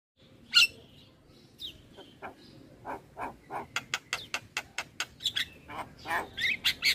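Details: Javan myna song used as training audio for all kinds of starlings, the singer described as fully nodding; starts quiet, then a run of sharp clicks and short bright notes quickening and growing louder toward the end.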